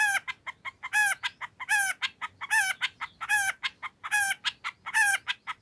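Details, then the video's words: Long-tailed shrike singing a lively song with nagen fill-ins, used as a lure so another shrike answers at once: harsh, descending, rasping notes repeat about once a second, with short sharp clicks and ticks between them. "Kicau Cendet Gacor Full Isian Nagen! Ampuh Dijadikan Pancingan Agar Cendet Langsung Nyaut"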